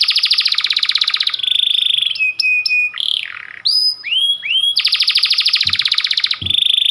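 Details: Panda canary, a white domestic canary, in persistent long-shooting song: fast repeated rolling trills at the start and end, with quick whistled sweeps, clipped metallic notes and rising chirps between them.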